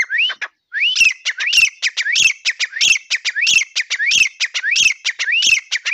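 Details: Grey francolin calling insistently: a short rising note, a brief gap, then a fast, regular chain of harsh upswept whistles and crisp clicks that continues to the end.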